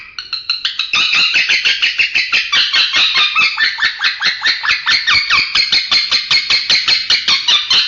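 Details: Male lovebird making strange, unclear sounds: a fast, continuous chatter of high, scratchy notes, about two or three per second, building in loudness after the first second and running steadily to the end, in a small indoor room.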